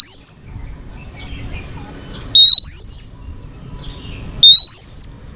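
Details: Female Oriental magpie-robin singing to stimulate males, for training: three loud, pure whistles climbing steadily in pitch, spaced about two seconds apart, with faint softer chirps between them.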